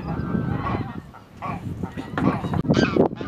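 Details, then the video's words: A flock of pink-footed geese with other geese in March at RSPB Snettisham, Norfolk, calls in a busy overlapping chorus of nasal honks and higher yelping notes, several each second, with no pause. "Pink-footed and other geese"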